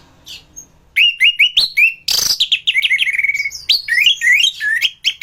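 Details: Orange-headed thrush singing in gacor form, a masteran recording for training other thrushes: rapid repeated whistled notes sliding up and down, with one loud harsh rasp in the middle, continuous and energetic.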